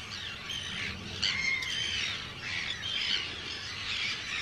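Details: Arctic tern colony on Rottumerplaat, Netherlands, 4 June 2023, with hundreds of birds nearby; raspy, overlapping screams and short harsh calls form a constant din, one sharp click near the start.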